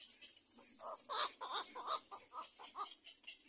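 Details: Little egret chicks in a nest waiting for food, giving rapid, harsh, raspy begging calls repeated several times per second, rising and falling in loudness over a steady background hiss.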